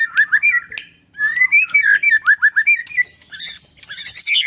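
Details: White-rumped shama at a Kendal bird farm, a string of slurred whistled notes of varying pitch, then harsh scratchy chatter at the end.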